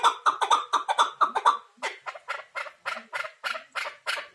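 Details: Chukar partridge calling: quick run of rasping chuck notes, then a slightly slower series of harsher, broader chuckles.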